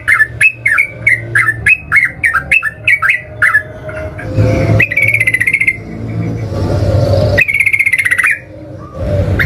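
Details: Combative sooty-headed bulbul song meant to make rival birds answer: a string of quick whistled notes at a steady pace, then long buzzy pulsed trills, backed by low rumbling noise.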